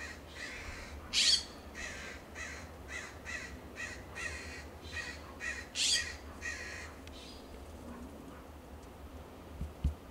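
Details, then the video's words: California Scrub-Jays calling back and forth in a Pacific Grove, California backyard, perched on a fence, coast live oak and Monterey cypress, answering a distant jay: a fast run of harsh, rasping notes, about two per second, two especially loud, over low hum. "Loud calls of California Scrub-Jays"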